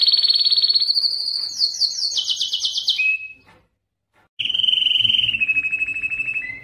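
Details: Male canary singing for breeding, aimed at exciting females: high whistled notes stepping down through quick trilled rolls, a short silence, then a level whistle with faint lower background sounds.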